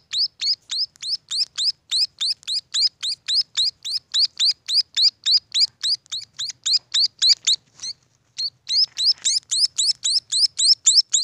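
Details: Long unbroken run of thin, rising chirps from munia chicks, almost four each second, pausing once briefly before continuing at the same pace.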